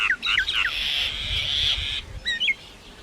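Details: Common myna singing in varied style: a few twisting whistled notes, a sustained harsh buzzing note for about a second, then two short rising whistles.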